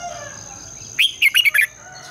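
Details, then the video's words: Red-whiskered bulbul singing in the morning in the long, twisting double-voice style, used as a decoy to spur other bulbuls to sing: one quick phrase of four or five bright, warbled whistles after a second of quiet, over a steady thin high whine. "Luyện chào mào hót sáng, Giọng kép xoắn dài -THÚC BỔI MAU HÓT, luyện chào mào hót sáng căng lửa"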